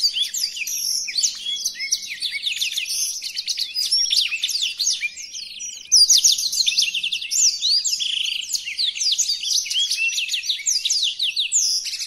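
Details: Captive blackthroat singing a master song used to train other birds, one of five song variations: rapid, dense high twittering of buzzy trills and chirps, continuous and varied throughout, with brief pauses near six seconds and no other clear sounds.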